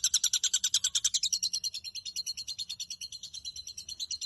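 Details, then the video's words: Rapid, regular chatter from a caged long-tailed shrike, the song played to train other birds; harsh high notes repeat about 200 times a minute, loud at first then slightly fainter. "Burung cendet gacor full isian cocok untuk masteran Dan Terapi cendet Macet bunyi Agar Gacor"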